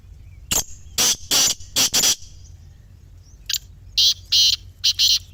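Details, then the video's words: Grey francolin, a call played so that silent captive francolins start calling: a run of four loud, strident, grating notes, a short pause, then a second quick phrase of four or five sharp high notes. "خاموش تیتر کو بولنے پر مجبور کرنے والی جادوئی آواز | Teetar Voice for Non-Singing Birds"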